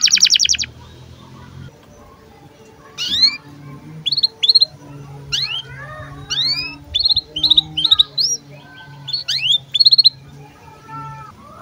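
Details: Canary in breeding condition giving sparse chirps for tutoring young birds: a brief trill, then scattered short upward and downward whistled chirps in small clusters, with a low hum in the background.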